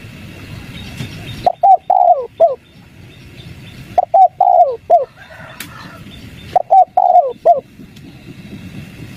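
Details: Spotted dove cooing in 'kuk 3' style as a lure for silent wild doves; after a brief quiet start, three phrases of rapid short coos and a drawn-out falling coo follow at regular intervals of about two and a half seconds.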